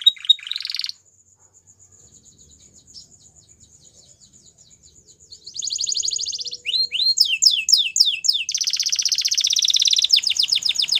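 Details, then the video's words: Singing white canary of the Belgian type: a brief bright trill, then a long quiet stretch with a faint steady high tone, before loud buzzy rolls and swooping repeated slurs return. "White Canary Singing | Belgian Canary"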